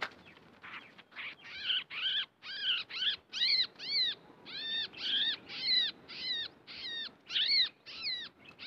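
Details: A caged Yellow-vented bulbul, acquired only two days earlier, sings a lively run of bubbly, arched notes, about two each second, over a soft background hiss.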